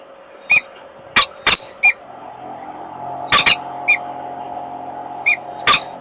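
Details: Male peregrine falcon at a nest in Włocławek, Poland, on 28 February 2022, calling to invite the female, who declines. Short, sharp, high chipping notes come singly and in pairs, mixed with loud dry clicks and scraping over a steady hum.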